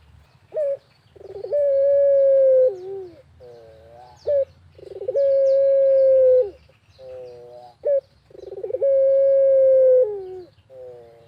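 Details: Barbary dove calling steadily in the countryside as a lure for other doves: three cycles of clipped note, purring trill, long level coo and wavering lower hoots, roughly every four seconds; faint high chirps.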